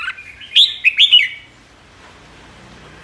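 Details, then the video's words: Ché song from a red-whiskered bulbul that leads its flock: one quick burst of loud, liquid whistled notes, followed by near silence with faint background hiss. "Chào mào đầu đàn ché"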